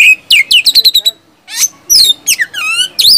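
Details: Loud, open-voiced oriental magpie-robin song of whistles and 'tembakan' shots, meant to coax quiet caged birds into singing. Rapid sweeping whistled notes, a quick run of chips, then a pause followed by swooping, slurred phrases.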